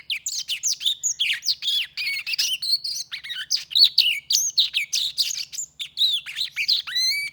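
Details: Black-throated canary, a hand-tame bird, delivering a busy warbling song: quick runs of high chirps, buzzy trills and rising and falling whistles, almost unbroken, ending with a clear upward-sweeping note.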